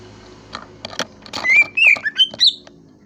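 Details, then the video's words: Greater green leafbird giving a short phrase of loud, clear, high whistles that rise and fall, after soft knocks and clicks. "KICAU BURUNG CUCAK IJO"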